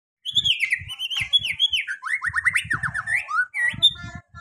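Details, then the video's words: White-rumped shama song used as a lure to get reluctant shamas singing their full repertoire: rapid run of clear whistled notes and slurred upward and downward phrases around mid-high pitch, with soft low knocks underneath. "Di jamin Langsung bongkar isian, pancingan muarai batu susah bunyi"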